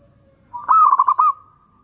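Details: Lure song of a local zebra dove, calling wild doves. It is a single loud phrase: an upward opening note, then five quick stuttering coo pulses that end in a sustained tone.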